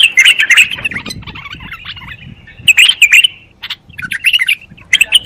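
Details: Bulbul song in short separated bursts of sharp, chattering warbles, with softer twitters between the louder phrases.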